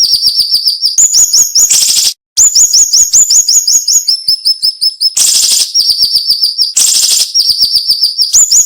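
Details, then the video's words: Training recording of cinnamon-bellied flowerpecker song, tight and sharp with little pause: long rapid runs of shrill rising notes, repeated several per second, interrupted by loud raspy bursts and one brief silent cut. "MASTERAN SUARA BURUNG SIRI SIRI NEMBAK TAJAM"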